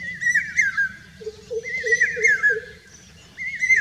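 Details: Common hawk-cuckoo singing in Rajasthan, India: loud whistled phrases near mid-high pitch, rising then falling, repeated several times, with a lower warbling bird note underneath and a steady low rural hum.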